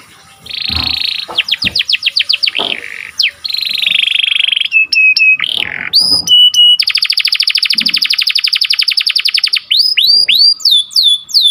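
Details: Canary song for training and stimulating breeding birds: varied tours of buzzy notes and slurred whistles, a long fast rattling roll of high notes, then repeated curving sweeps at the end.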